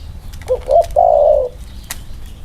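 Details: Spotted dove cooing in the 'inner-circle' style while two birds are compared: two brief soft notes, then one long mellow coo that slowly falls, clear against a quiet background with a faint click.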